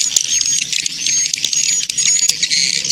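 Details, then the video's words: Swiftlet lure sound played to attract swiftlets: a dense, continuous high-pitched chattering and twittering with steady loudness throughout, with no pauses. "SUARA TARIK MANSYAH WALET SUDA TERBUKTI BISA DI COBA MUDAHAN COCOK"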